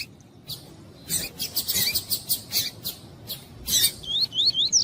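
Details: Yellow-bellied seedeater of the tuí-tuí song type, a male being warmed up by a calling female. A quick series of sharp, high chips is followed by a short run of fast, wavering high whistles.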